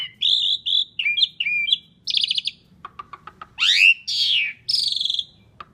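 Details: Loud, active Asian pied starling song with full varied phrasing, played as a lure for other birds: wavering whistles, a buzzy trilled burst, soft clicks, then harsh rising and falling screeches.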